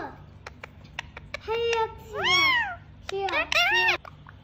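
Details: Speaking parrot imitates human words: a series of dry clicks, then a held tonal note sliding into a rising-falling speech-like phrase, followed by a quick two-part arched utterance, indoors with low hum.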